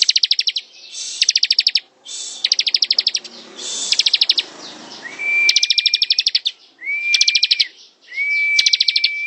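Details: Bar-winged prinia (ciblek) song of the ngebren type, starting with several short, high, buzzy rattles, then three phrases each pairing a sustained level whistle with a fast, chattering trill; faint background rumble.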